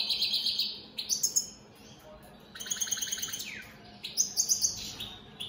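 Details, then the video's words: Singing goldfinches, opal split satiné mutation, deliver rapid liquid twitters and stuttering trills of about four notes per second, broken by a quiet gap before more rippling high phrases and a downward sweep. "Opal split Satane goldfinches siging"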